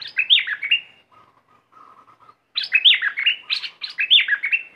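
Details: Red-whiskered bulbul decoy bird, in either an aggressive style or a wild mate-calling song. Bright, liquid warbled phrases rise and drop quickly, with softer low chattering notes between two loud bursts.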